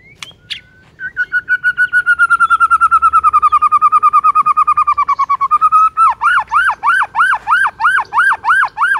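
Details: White-rumped shama in a morning song meant to stir up rivals: a long, rapid, even trill of whistled notes lasting about five seconds, then a slower series of loud, arched, repeated whistles.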